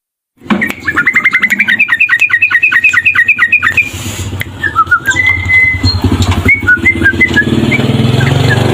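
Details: Tame male sooty-headed bulbul in vigorous song: a fast run of repeated short notes near one pitch, then a few drawn-out whistles and scattered chirps, over strong low rumbling background noise.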